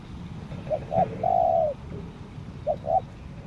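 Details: Lure spotted dove on Lombok giving two short coos then a long, even, purring note, followed after a pause by another pair of short clipped coos, set against a constant low-pitched background rumble.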